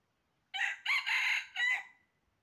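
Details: Red junglefowl crowing loudly during trapping, 20 January 2023: a four-part cock-a-doodle call with a short first note, a longer harsh middle and a drawn-out ending that fades.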